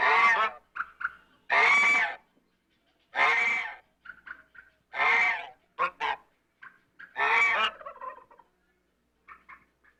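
African goose giving loud, harsh honks about every two seconds, with softer, nasal chatter between them.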